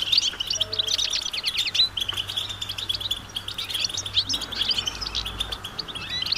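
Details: Group of European goldfinches in the wild giving mating and readiness calls to get males singing: fast, high tinkling twitters and slurred chirps crowding together, gently fading then picking up again.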